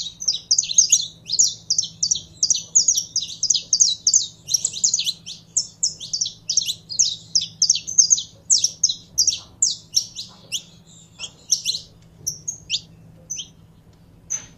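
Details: Captive saffron finch warming up: a long, dense stream of sharp high chips and clipped slurs for about ten seconds, thinning to a few scattered notes at the end, with a faint hum.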